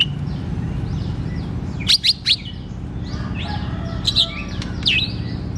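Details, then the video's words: Oriental magpie-robin (kacer) singing in 'ngeplong' style to prompt lazy birds; a few sharp descending chips in two short groups amid soft fluttering notes and a strong low rumble. "KACER GACOR TERAPI KACER MALAS BUNYI"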